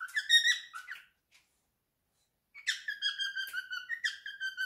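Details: Male cockatiel, three years old, kept as a pet indoors, singing his favourite song: bright whistled phrases with rich harmonics, a burst of notes, a pause of over a second, then a run of sliding, warbling whistles.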